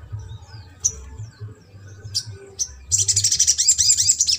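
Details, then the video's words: Sogok ontong in trotol style, used to prompt a silent or lazy bird into singing: a few isolated high chips, then a dense, rapid run of high twittering notes with repeated rising slurs over a low background hum. "SOGON TROTOL INI MERANGSANG UNTUK SOGON MACET"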